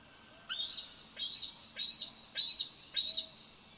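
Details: Bald eagle eaglet, 104 days old, filmed by the Big Bear Valley nest camera on 27 July 2019: a series of five high, sharp whistled chirps rising to a thin level whine, about 0.6 seconds apart, with low background hiss.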